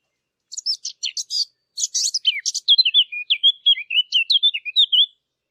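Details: Eurasian blackcap singing, in a recording intended for hunting lure machines: a rapid burst of sharp, high chattering notes runs straight into a sweeter whistled warble of looping phrases. The background is silent.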